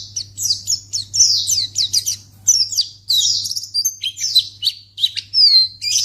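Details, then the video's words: Lure audio of a white-eye for prompting other white-eyes to respond: energetic, high, tumbling twitters and sweeping downslurs in uneven bursts, ending with a clear descending whistle and more chatter; low hum throughout. "Pleci Akan Langsung Merespon Memancing Bunyi Burung Pleci"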